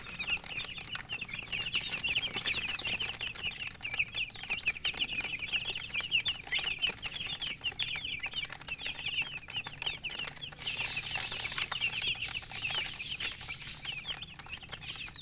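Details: Thirsty poultry chicks chirping for drinking water: a continuous crowded chorus of short, high, slightly downslurred peeps from many chicks, with a burst of hissing noise near the end and a low hum.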